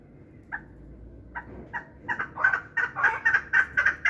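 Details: One-year-old hybrid chukar partridge, kept for fighting and hunting, calling a series of short clucking chuk notes that start sparse and speed up into a rapid, rhythmic run, with a quiet background.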